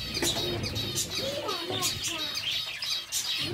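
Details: Kept zebra finches calling in a group: repeated short, nasal, buzzy beeps, alongside lower soft whistled and cooing notes from other birds nearby.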